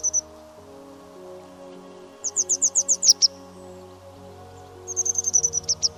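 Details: Grey wagtail (Motacilla cinerea), a bird of running streams, gives two quick runs of sharp, very high ticking notes, about eight then ten, evenly paced, over soft music; its song, often given in territorial flight, carries over stream noise.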